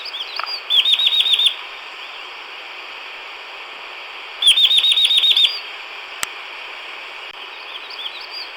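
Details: Chestnut-vented nuthatch at Natmataung or Khaw Nu Soum National Park in southern Chin State, Myanmar, gives two quick bursts of about eight high, rapid, looping notes, each about a second long, over a steady high insect hiss.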